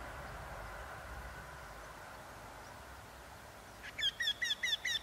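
Eurasian wryneck: a quick run of five nasal, ringing notes, about five per second, at the very end after four seconds of steady background hiss.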